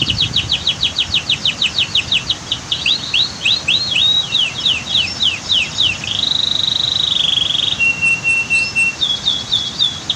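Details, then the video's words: Canary song made as a training recording, with a waterfall and dam in the background: fast runs of repeated high rising-and-falling chirps, then a long steady whistled note and a lower tone, ending in more quick chirps. Soft water rumble below. "Masteran Kicau KENARI"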